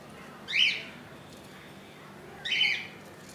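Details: Budgerigar chick in the nest, hatched 15 July 2018 at 2 AM and now two days old, only an inch long. Two brief harsh squeaky cheeps come about two seconds apart, with near silence between them.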